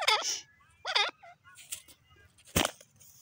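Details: A francolin (dakhni teetar) gives two harsh, wavering, nasal calls about a second apart, followed by fainter notes and a sharp loud crack near the end.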